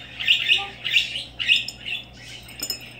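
A parakeet gives a run of scratchy, high chirps and squawks, about two each second, with a low steady hum underneath.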